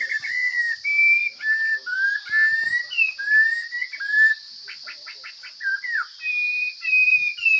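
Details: Wild forest Chinese hwamei singing with a strong, full voice: loud, varied whistled phrases that slur up and down, short repeated notes and a quick rattling trill midway, over a steady high-pitched hum throughout.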